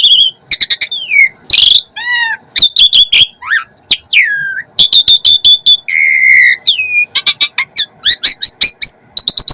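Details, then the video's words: Asian pied starling in full varied song with many imitated phrases: sharp clicks, whistled downslurs and upslurs, a loud harsh burst and rapid ticking notes strung together almost without pause. "Jalak Suren Gacor Full Isian,,,!!! Dengar Sesaat Emosi Burung Jalak Manapun Langsung Naik Auto NYAUT"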